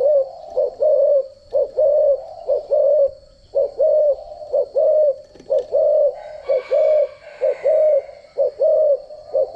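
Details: Decoy spotted dove for training and trapping, cooing in a steady series of paired notes: a brief clipped coo then a longer even one, repeated about once a second. A faint high tone and brief rustling are heard midway.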